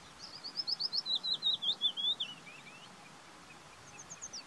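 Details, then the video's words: A willow warbler sings a sweet, liquid phrase of about a dozen quick notes sliding gently downward over two seconds, followed by a few fainter high notes. "Willow Warbler Song. Løvsanger lyd. Pajulintu ääni. Fitis Gesang"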